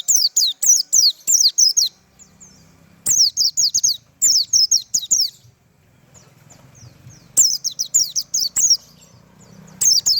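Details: White-eye, locally pleci, in 'tembakan' style song: repeated bursts of high, quick, falling chirps, five to eight per run, spaced by short gaps, with a soft low rumble underneath between phrases.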